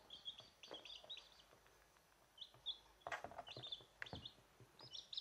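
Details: Young domestic chickens, hatched to the owner's hens, give high piping peeps in quick runs of two or three notes, mixed with dull knocks and rustling in the background.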